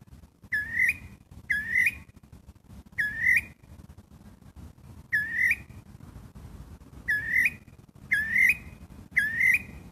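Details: Gray catbird giving a cat-like mewing call. Each slurred, nasal note sweeps upward and repeats about once a second, sometimes in quick pairs. Faint low background noise sits beneath the calls.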